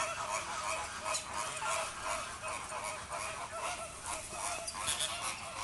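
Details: Feeding-time chorus of Inca terns kept in Vogelpark Avifauna, Netherlands; steady stream of rapid nasal, goose-like honks, nearly three per second, from many birds at once.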